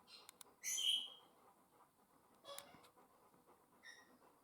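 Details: African grey parrots, two pets in a house, a bright whistled squawk, then a fainter call and a soft short whistle, over a low room hiss.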